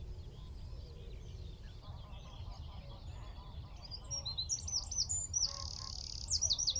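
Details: After several seconds of faint background noise, a Eurasian wren singing from a tree at Wicken Fen, about 15 m away, bursts in with high twitters, a steady buzzy trill and quick repeated sweeping notes.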